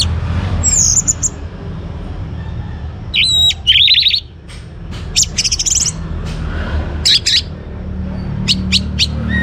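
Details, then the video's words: Young orange-headed thrush in Singaraja, northern Bali, singing to prompt other birds: scattered high whistles and buzzy bursts separated by pauses, with steady low background hum throughout. "ANIS MERAH Muda Gacor Untuk Pemancing Burung Berani Berkicau"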